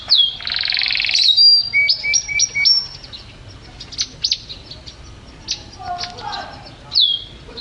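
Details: Champion canary opens with a dense buzzy phrase and clipped repeated notes at two pitches, then scattered short chirps and a final downward slur.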